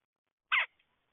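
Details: A single short, harsh, grating note from a red-headed woodpecker, then quiet.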